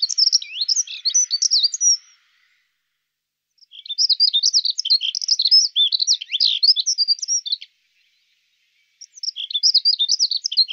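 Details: Dunnock, a male, singing three bouts of song in a rapid high twittering warble, each bout about two to four seconds long with pauses between them; clear, with no other sounds.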